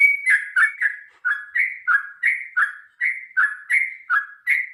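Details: Rapid rolling fighting song of a sooty-headed bulbul, played to encourage birds to sing: a steady string of bubbly, downslurred whistled notes, about three every second, with no pause.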